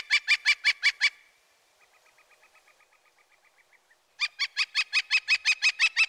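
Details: Northern Flicker giving its loud, repetitive wick-wick call: a fast run of evenly spaced sharp notes for a second, a fainter distant series, then another loud burst of rapid repeated notes, about three per second.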